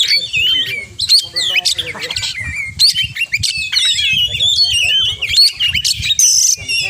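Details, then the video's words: Oriental magpie-robin in full 'gacor' song packed with 'isian' mimicry material: a fast, varied stream of sharp whistles, slurred notes and buzzy trills with brief pauses, over a low rumbling background. "Kacer Gacor Full Isian"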